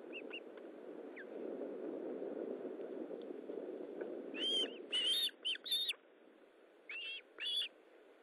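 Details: Feeding time at an Osprey nest, 19 July 2012, 9:43: after several quiet seconds of rushing background noise, a burst of sharp whistled calls in uneven clusters, rising then dropping in pitch.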